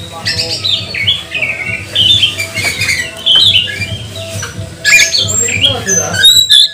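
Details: Magpie-robin giving a provoking song used to trigger singing in other magpie-robins: choppy series of whistled notes and harsh chatters in bursts, with a faint steady low hum beneath.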